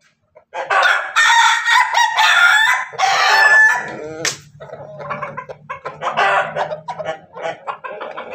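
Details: Crossbred Ayam Ketawa x Pelung chicken in Banguntapan, Yogyakarta, calling before laying eggs: three loud raspy bursts in quick succession, then a long run of choppy, stuttering, laugh-like notes over a low steady hum.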